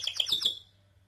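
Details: A canary sings a quick burst of four bright, high chirping notes, about eight a second, ending on a thin held whistle; nothing else is heard.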